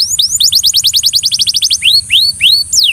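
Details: Belgian canary singing to coax a companion into song: a quick run of about fifteen short downslurred whistles, followed by three slower rising-then-falling notes and a final long descending sweep, over a faint high hiss.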